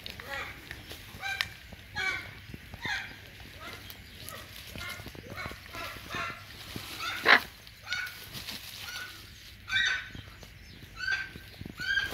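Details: Two hyacinth macaws kept as pets squawk while playing: a run of honking, harmonic calls with irregular gaps, some short and clipped, others drawn out. One sharp, loud burst stands out midway, over faint rustling and a steady low hum.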